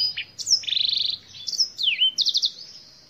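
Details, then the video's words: Singing Black-throated canary, a species from Africa, delivering a varied high-pitched phrase of rapid trilled notes, swooping whistled slurs and a fast pulsed rattle, all tightly packed with almost no pauses. "BlackThroat - Canary BlackThroat Sound"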